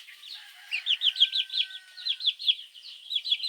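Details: Baby chicks calling their mother in the morning, recorded as a lure for mongoose; loud, clear high peeps, each a short arched note, come in quick uneven bursts over a faint steady whine.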